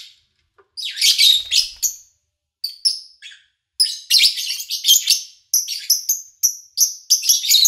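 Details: Lovebird chatter starting with a harsh burst, then clipped high chirps repeating in quick succession; August 2019 recording with a brief low knock early on.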